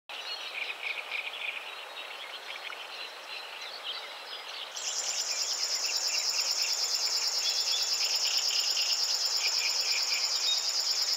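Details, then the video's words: River warbler singing at 52.057384, 20.195077: softer chirping from other birds for about five seconds, then a loud, steady, insect-like buzzing starts suddenly, a fast, even pulsing of about three beats per second that runs to the end. "River warbler / Strumieniówka"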